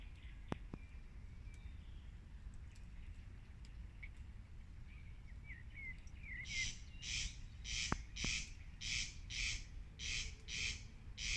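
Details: Corn crakes (Crex crex) "singing" on the Lammassaari duckboards in Viikki, Helsinki, 19 May 2020, with a brown hare listening: dry, rasping double crex-crex notes repeated steadily in the second half.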